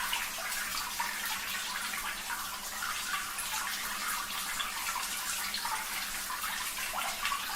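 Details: Steady splashing of running water, like a filling tub or tap, fills the whole stretch with a bright hiss and no animal voice.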